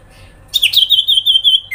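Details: Grincingan call of a sooty-headed bulbul, used to make other birds respond: a harsh burst leading into a sustained high, wavering trill of rapid even pulses lasting about a second.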